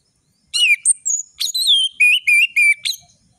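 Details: Orange-headed thrush singing energetically with full variation: a fast run of sharp, high whistles and slurred notes, about eight syllables delivered within two and a half seconds.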